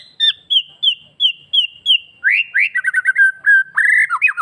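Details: Master song of a White-rumped shama, used to stimulate males and young birds into breeding mood and aggression: a short clear whistle repeated about every third of a second, then a fast run of rising and falling warbled notes.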